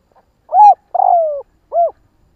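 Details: Spotted dove call for exciting decoy doves: a brief faint lead-in, a full arched coo, a long level coo sliding downward, then one more rounded coo. The recording is clean, with no background sounds.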